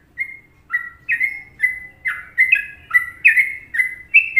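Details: Sooty-headed bulbul from Indonesia singing in the Trucukan style: a rapid series of short, bright whistled notes, each a quick downward-sliding chirp, delivered about once per second in a varied, bubbly phrase with a quiet background.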